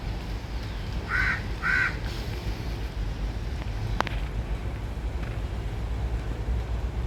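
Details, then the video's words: A crow gives two harsh caws about half a second apart, over a steady low rumble of wind and distant traffic, with one sharp click later. "ಕಾಗೆಗಳು ಹೀಗೆ ಕೂಗುತ್ತಿರುವುದಕ್ಕೆ ಕಾರಣವೇನು? | Why Crows Are Making Noise?"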